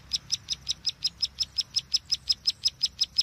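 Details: Bar-winged prinia call used as a trapping lure: one high, sharp note repeated steadily about five times per second, even and rhythmic throughout, with a quiet background.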